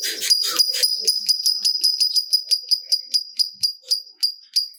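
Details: Lovebird, a fighter bird, giving a series of sharp, high chips that begin fast and bunched and then slow down, becoming spaced farther apart. Faint low rustling sounds come at the start.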